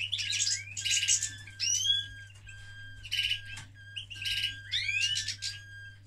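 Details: A male canary during mating sings bursts of fast, buzzy rolled trills and rising whistles over a steady high tone, with a faint low electrical hum underneath.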